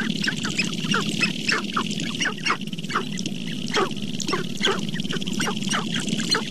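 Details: Sharp-tailed grouse calling in April at Namekagon Barrens in northern Wisconsin: a continuous low throbbing drone beneath many short, sharp descending clucks from several birds overlapping.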